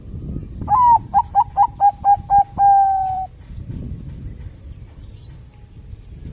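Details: Bangkok zebra dove, singing as a lure that prompts other doves to sing: seven crisp, clipped coos in quick succession, then a single long, level coo, followed by quiet hiss and faint high chirps.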